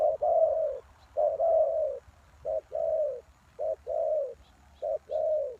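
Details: Lure calling of a spotted dove for wild doves: five phrases of a short coo followed by a long, mellow, downward-sliding coo, with faint high chirps near the end.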